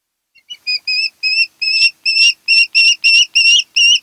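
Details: Osprey at a Kent Island, Maryland nest shared by a mated pair, camera recording from 08-10-2018: a quickening run of about a dozen short, clear whistled cheeps that begins softly and grows louder and steadier.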